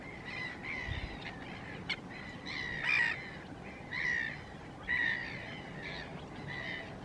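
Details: Chilean flamingos, resident year-round here, give harsh, nasal, goose-like honks in short bursts, roughly one every second, over a steady murmur of a calling flock.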